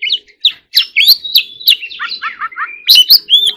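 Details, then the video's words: Oriental magpie-robin singing a fast warbling 'hót líu' fighting song: loud upslurred and downslurred whistles, a short held tone, then a string of descending slurred notes, with brief gaps between phrases. "choè than hót líu || Kacer Gacor"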